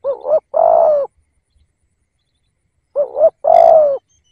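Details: Decoy spotted dove cooing to lure wild doves: two low, hoarse coo phrases about three seconds apart, each a short double note followed by a longer, steady, slightly falling coo. The background is quiet.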